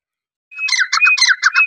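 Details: Grey francolin, called teetar, giving a brief burst of its call: a steady high whistle underlying quick, choppy, chattering syllables in a fast rhythm, loud and close.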